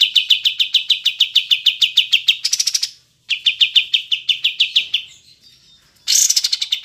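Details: Olive-winged bulbul (kapas tembak) recorded cleanly for training caged songbirds: long runs of rapid, sharp, high chips, about three per second, broken by a brief silence and ending in a brighter burst.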